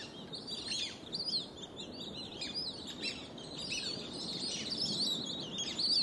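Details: Plumed whistling ducks in a flock give shrill, high whistles, many overlapping in a continuous chorus over a soft low rumble; they typically camp at farm dam edges, commuting to pasture mornings and evenings.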